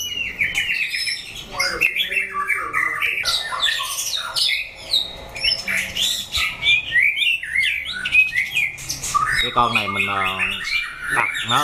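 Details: Shamas in a 'chảo lửa' fighting test, where weak birds puff up and tough ones face rivals on all sides: long, busy outpouring of squawks, chatters, whistles and rattling trills, nearly without pause.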